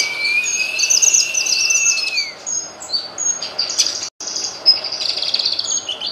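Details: Grey-cheeked bulbul tutor song opening with a long, level whistle that bends downward at its end, then varied high chirps and short trills; a brief dropout of silence near the end.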